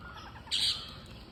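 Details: Green parrot at feeding time gives one brief, shrill, scratchy squawk against a steady low background hum.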